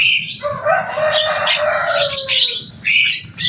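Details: Captive Javan myna, described as loud and noisy and able to imitate human speech, giving a rapid run of harsh, buzzy chatter with whistled notes and a long falling tone near the middle.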